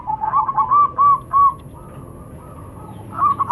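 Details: Male and female local zebra doves answer one another: a string of rounded, pulsing coos, then a quieter, lower coo in reply, and a renewed burst of coos near the end. A faint steady high whine runs throughout.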